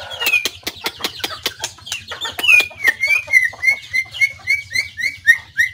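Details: White-rumped shama singing, recorded 17 April 2024: a run of sharp clicks opens, then a series of clear whistled notes gently falling in pitch, repeated about three times a second, with a low steady hum underneath.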